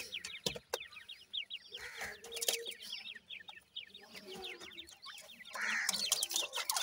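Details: Black francolin brood of five 26-day-old chicks, three female and two male, raised in captivity, giving rapid streams of thin descending peeps that overlap constantly, broken by loud knocking clicks.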